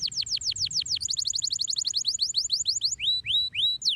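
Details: High, piercing canary song: quick series of falling sweeps, then a dense rapid trill, then spaced rising upslurred whistles, loud and continuous throughout.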